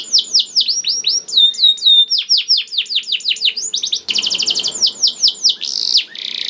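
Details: Canary singing, offered as a lure to encourage canaries to sing; strings of high down-slurred whistles, a rising flourish, then a rapid even trill and a buzzy ending.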